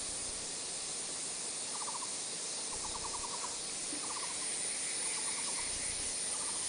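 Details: A juvenile Taiwan blue magpie learning to sing in Wulai, Taiwan, on 5 July 2009 gives short, fast rattling bursts of clicks about once a second, under a loud hiss of cicadas, with a Muller's barbet in the background.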